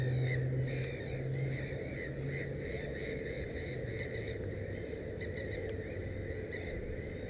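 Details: At a nest holding three chicks, a black-headed gull gives quick repeated nasal calls, several each second, against a continuous low hum.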